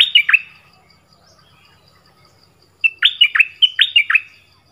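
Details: Thai nok dok taeng bird singing in a clear original voice: a brief flourish of falling whistles at the start, then silence for over two seconds, then a seven-note string of bright, swooping whistled notes.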